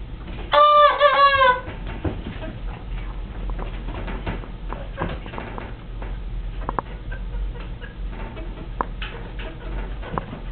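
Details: Two roosters crowing. One loud, roughly one-second cock-a-doodle-doo is strongly harmonic, with a wavering, slightly falling ending. Quieter clucks, rustling and scattered clicks follow over the next nine seconds.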